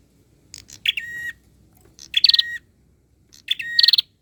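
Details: Bird masteran song intended to get other birds responding: three phrases, each a quick chip followed by a harsh buzzy trill and a level whistled tail, about a second apart.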